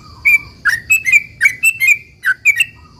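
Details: Lively sooty-headed bulbul song meant to prompt other bulbuls to reply: short bursts of bright, slurred whistles, some paired in quick doublets, about three per second, with a thin steady high hum in the background.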